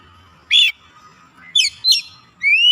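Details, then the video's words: Oriental magpie-robin (kacer) from Indonesia, a bird recovering from lazy singing: a harsh rasping note, two short buzzy slurred notes, then a clear rising whistle, with a steady low hum behind. "KACER YANG MALAS BUNYI JADI GACOR"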